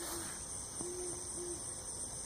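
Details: Owl, possibly a barred owl, calling faintly in a homestead garden after a flood, 17 July 2016: low, soft hoots, one short then two longer about half a second apart, under a steady high cricket chorus.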